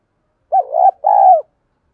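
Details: Female spotted dove used as a decoy, calling in the lowland 'giọng đồng' style to lure wild doves: two rich, low cooing phrases, the second longer and steadier, in a quiet setting.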